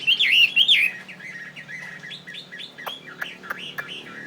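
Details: Tame fighting Chinese hwamei from northwest Vietnam, kept in Saigon, opening with two loud looping whistles, then a quieter series of short hooked notes punctuated by sharp clicks.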